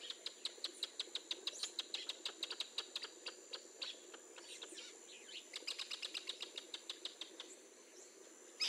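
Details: Northern jacanas in the wild, a family with a newly hatched chick and a male brooding chicks under his wing while foraging: long runs of sharp, dry clicking notes, about five per second, pausing briefly then resuming, over steady background hiss.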